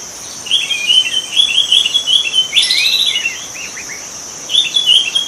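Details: Free-living white-rumped shama in natural habitat pouring out a fast, high, rambling warble of chattering notes, pausing, then resuming, over a continuous high insect whine.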